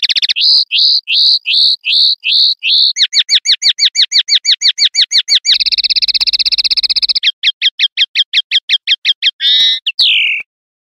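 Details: Common linnet singing a varied pardillo limpio sequence. It opens with repeated ringing notes, then moves into a quicker trill and a dense buzzing roll. Fast chips and a final descending whistle close it. A faint low hum is heard briefly mid-phrase.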